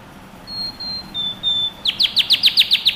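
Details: Canary song for training young birds. Soft, thin whistled notes are followed by a run of about eight sharp, descending sweeps repeated in quick succession over faint background hiss.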